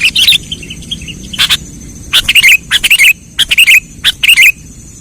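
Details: Trapping lure call of the sooty-headed bulbul: separate groups of loud, twittering, bubbly notes, a few near the start, then a denser series of chirp pairs over the last three seconds.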